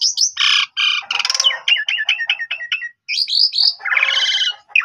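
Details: Asian pied starling song meant to spark replies from other starlings: harsh buzzy blasts open, followed by a quick run of repeated chip-like slurred notes, then high whistles and a grating chatter.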